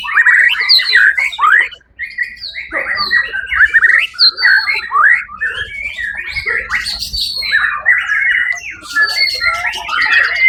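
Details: White-rumped shama singing at a 1 October 2023 songbird competition where it won first place; a long varied performance of clipped whistles, downward slurs, trills and harsh chatter, delivered in rapid bursts with short breaks.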